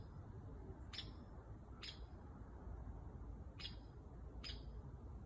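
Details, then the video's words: A woodpecker gives four sharp, high, abrupt call notes, spaced irregularly about one to two seconds apart, over a steady low rumbling background. "Sounds of a Woodpecker"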